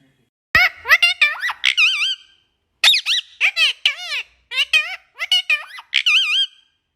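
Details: Talkative parrot chattering in a small room: rapid runs of squeaky, wavering, speech-like syllables, each bending up and down in pitch, grouped in three bursts separated by brief pauses.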